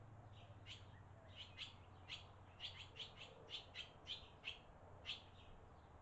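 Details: Barn swallows in Las Cruces, with baby swallows growing up and parents feeding them, captured on a trail camera; a series of short high chirps, about a dozen over six seconds, over a low steady hum.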